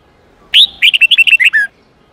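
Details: Red-whiskered bulbul singing an 8-9-10 note wild-style song used to train young birds. The phrase opens with a loud rising whistle, then eight quick clear chirped notes, and ends on a longer falling slurred note.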